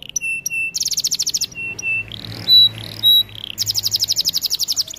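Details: Canary song used for training: paired flat whistles, a quick bright trill, scattered sliding notes, then another long rapid trill to the end.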